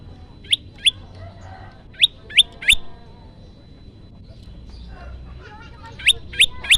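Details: Olive-backed tailorbird lure for trapping: short bursts of two or three sharp, high descending chips, a pause of a few seconds, then another quick run of three, with faint low rumble behind.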